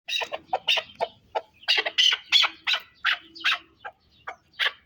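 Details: Chukar partridge from the Pamir giving a rapid series of harsh, clucking chuk notes, roughly three per second, some paired, growing fuller in the middle of the run, with little else heard.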